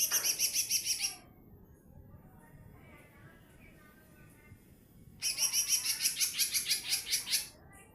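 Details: Lesser green leafbird, a small 'mini' bird singing in a loud 'nembak' style: rapid, evenly pulsed high trills for about a second, a pause with faint murmuring, then a longer two-second stretch of the same pulsing rattle.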